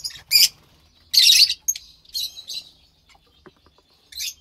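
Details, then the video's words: Pair of lovebird chicks, pastel white and pastel light green, March 3rd, 2021; a few loud, harsh, hissing squawks separated by pauses, with softer faint chirps between. "Two Lovebird Chicks From White Pastel Violet & Pastel Mauve"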